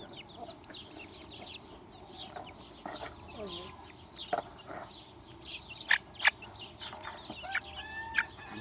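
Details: Chicks chirping: quiet, continuous high peeps from many birds, with a faint human voice underneath and a few louder cheeps near the end.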